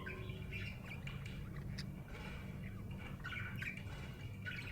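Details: Cheerful budgie giving thin, scratchy chirps and short squawky notes in loose clusters. A steady low electrical hum runs underneath.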